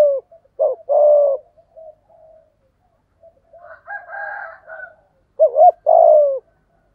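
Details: Spotted dove in the giọng thổ cooing style, meant to stimulate stubborn wild-caught doves: a hoot and long coo, soft murmuring notes with a hazy overtone, then a doubled bending coo and a drawn-out closing coo.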